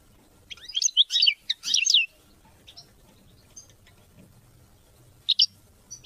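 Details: European goldfinch song, offered to teach and motivate hunting and mating: a burst of high, twittering, liquid notes for about one and a half seconds, a long quiet gap, then two short chirps near the end.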